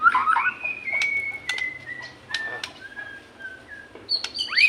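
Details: Caged white-rumped shama singing, used to prompt other shamas to sing: long level whistled notes stepping down in pitch, broken by sharp clicks, with louder rising notes at start and end.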